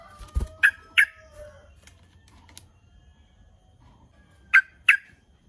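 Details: A yellow-vented bulbul gives two pairs of short, harsh chattering 'cruk-cuk' notes several seconds apart, over a faint low background rumble. It is a challenge call that other bulbuls answer.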